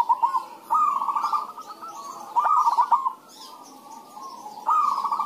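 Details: Zebra doves (perkutut) exchanging song to entice other doves to sing; overlapping soft cooing trills broken by quick staccato stutters, several phrases in close succession from more than one bird.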